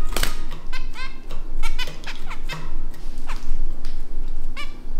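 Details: Newly bought pet-shop zebra finches, including a male, indoors give short, nasal, toy-trumpet beeps, single or in quick pairs, likened to an old squeaky children's toy; a sharp click and low room hum underneath.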